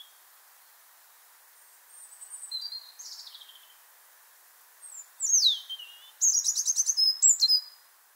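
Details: European robin, a year-round resident that holds a winter territory and sings in winter, heard in February: a clear, pearly song of high, thin notes that falls tremulously and quickens like a sliding brook, ending in a few sharp, sparkling notes.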